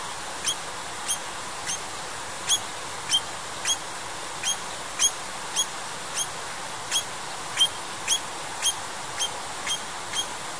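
An eastern rosella gives sharp, high, metallic notes, repeated roughly twice a second over a steady hiss.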